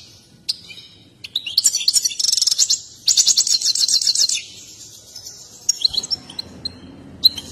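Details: An excited European goldfinch performs its mating song with a dance, a display breeders prize. After a few isolated chirps come two rapid bursts of bright, jingling twitters, then sparse high notes, with a faint low rumble near the end.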